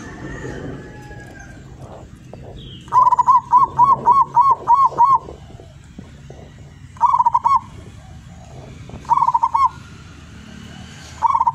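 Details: Wild zebra dove from Tuban, East Java, singing its long melodious perkutut song: a run of seven quick rolling coos, then shorter bursts of three rolling coos at intervals, over a low background hum.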